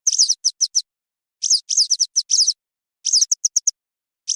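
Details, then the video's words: Western yellow wagtail calls, played as a hunting lure: bursts of short, high, sweeping chirps alternating with quick runs of clipped ticks, grouped in clusters separated by brief pauses, against a completely silent background. "افضل صوت لصيد ام رطيز - ام صفيد الصفراء - Western Yellow Wagtail call"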